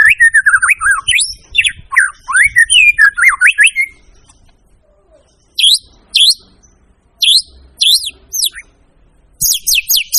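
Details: White-rumped shama singing a varied, energetic song: rapid sweeping whistles and rising slurred notes, then after a pause short bursts of upward-swept whistles with high metallic overtones.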